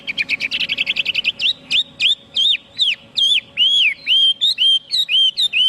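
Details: Chinese hwamei pours out a fast rattling trill of rapid notes, then switches to loud looping whistled phrases repeated at a steady pace, about two per second.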